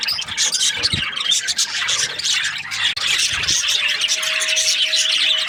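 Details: Budgerigars chirping in breeding season: nonstop shrill chattering from a group, scratchy squawks mixed with thin warbles, a brief drop near three seconds, and a faint low steady tone in the second half.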